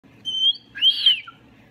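A Moluccan cockatoo gives two high whistles: a level tone, then a rising-and-falling arched note with a breathy edge. The background is quiet.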